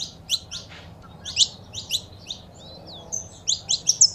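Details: Saffron finch female calls and male song, intended to stimulate captive birds. Paired high chirps, a quiet stretch with a faint thin slur, then a quickening burst of bright notes at the end.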